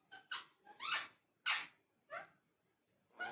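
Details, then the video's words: Talking parrot kept indoors, producing a rapid series of harsh, raspy squawking bursts about twice a second, some with rising tones, in a small room. "Talking Parrot"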